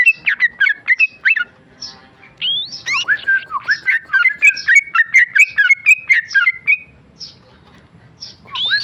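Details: Tame male sooty-headed bulbul in a cage giving bursts of whistled and slurred notes with upward sweeps, a dense chattering run in the middle, then quieter gaps and a final rising whistle.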